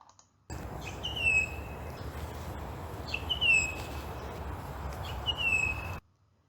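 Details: Pied butcherbird in south-east Queensland, Australia, giving its distinctive "missing you" call, which the Grey Butcherbird doesn't make: three clear whistled phrases, each a brief rise then a long, slightly falling note, about every two seconds over a steady hiss.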